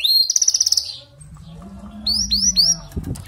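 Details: Canary singing, used to prompt a weak bird to sing: a fast high trill, a pause over a steady low hum, then a few sharp rising whistled notes.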